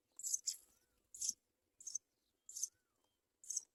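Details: A Sprague's pipit bringing food to its young gives five or six sharp, high, hissy call notes, each brief and spaced a little over half a second apart, with nothing else heard.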